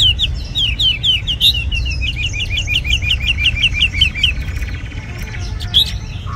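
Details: Song of a tame caged red-whiskered bulbul: a fast string of sharp, downward-slurred chirps repeated about four per second for four seconds, then a pause and one last high squeak.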